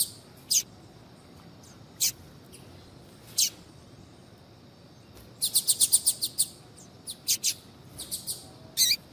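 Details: Female double-collared seedeater calling to warm up a male: isolated sharp chirps about every one and a half seconds, then a fast burst of repeated high notes and a few scattered chirps.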